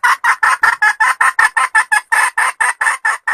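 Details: Red junglefowl hen giving a powerful cackle: a fast series of about sixteen harsh, clipped clucks in steady rhythm, each note short and raspy, with brief silent gaps between them.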